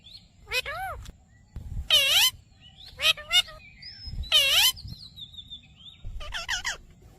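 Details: Talking ringneck parakeet repeating "Mitthu Mitthu": loud, buzzy, voice-like syllables arch up and down, spaced a second or two apart, with faint whistled chirps from other birds between them.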